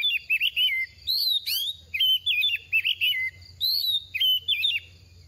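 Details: Oriental magpie-robin in its second season, moulting and dropping feathers yet quick to sing: rapid whistled phrases, warbling and sliding between high and mid pitches, with sharp upsweeping notes, broken by short pauses.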